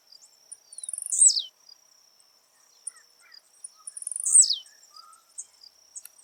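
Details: Wild blue-black grassquit recorded live in nature, giving its jump song twice about three seconds apart: a run of quick ticks building into a loud, high buzzy note that sweeps steeply downward, over a constant high insect drone.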